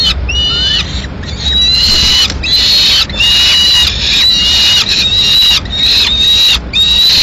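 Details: Female peregrine falcon feeding pigeon to two chicks at a nest in Madrid, 21 May 2016; loud, harsh, sustained wailing calls run almost without break, with brief gaps, overlapping rising and level harmonic tones.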